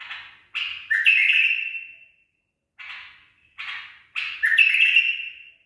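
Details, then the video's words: Tame trained bulbul singing its 'barwaz' phrase: two rich warbled phrases, each opening with a burst of chatter, then a descending whistle that trails away, separated by a brief silence. "بلبل أليف تخريج صحيح"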